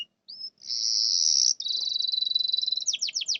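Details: Canary song used as a lure to prompt silent canaries to sing: a short upward note, then a long steady high whistle, a fast even trill, and a few sharp descending sweeps at the end.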